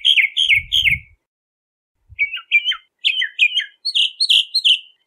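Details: Bahama mockingbird singing a bright whistled phrase repeated three times, then after a pause a faster series of chirpy, slurred notes, each doubled or tripled; a few soft low thumps early on.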